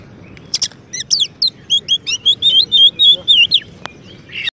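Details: Oriental magpie-robin, a contest champion, in song used to train and stimulate white-rumped shamas. Quick buzzy burst, then a rapid run of looping whistled notes repeated about four per second, ending with a click and a harsh rasp.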